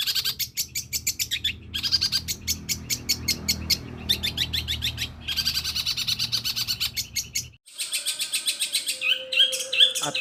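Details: Long-tailed shrike with a very long song stuffed with copied calls of other birds such as sparrow, petir, kunti and tengkek buto: dense runs of rapid, dry chirps broken by brief pauses, closing with a clear sustained whistle.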